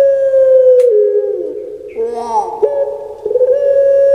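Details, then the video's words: Captive puter pelung collared dove kept in Indonesia: a long, steady, hollow tone held about a second, dropping into a rolling, gurgling middle section, then rising back to a sustained, even coo to the end. "PUTER PELUNG DAPAT NEMU ini Suaranya SEBAGUS ini"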